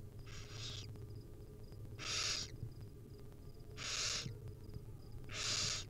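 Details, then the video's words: Wild barn owl nestlings begging as their mother feeds them small bits: broad rasping hisses about half a second long, coming roughly every two seconds, with a faint low hum beneath. "Hungry baby barn owl nestling get fed tiny bits by their Mom."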